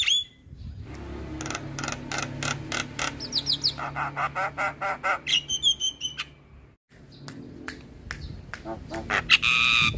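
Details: Training song of a black-winged starling for young starlings: repeated harsh squawking notes in quick series, a few upward-sliding whistles, a brief silence, then more rasping calls and a ringing high whistle.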